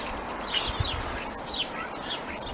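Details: At Christmastime in winter, a Common Starling sings a jumble of high whistles, slurred rising and falling notes and thin squeaks, with a few sparrows singing alongside and a steady outdoor background hiss.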